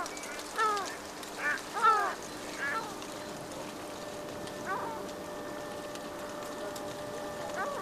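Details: Two yellow-legged gulls fighting over a fish: a few harsh, downward-bending calls in the first three seconds, then quieter, with a steady low hum behind.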